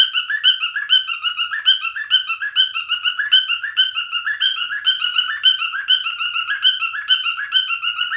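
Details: Continuous whistled song from a male cockatiel. Short clear notes repeat roughly twice a second in a looping, tuneful pattern with slight rises and falls and no other sounds.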